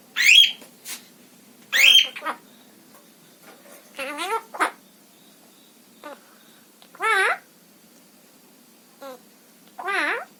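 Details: Female pet parrot indoors with scattered calls over ten seconds: sharp downslurred squawks early, then wavering, warbled mid-pitched notes spaced a few seconds apart with quiet gaps.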